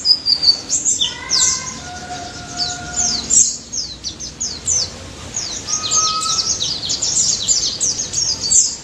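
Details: White-eye of the daput type in busy 'ngalas' song, a lure for mute white-eyes: a continuous stream of high, sharp chirps and twittering sweeps, with a few steady, lower whistled notes from another bird in the background.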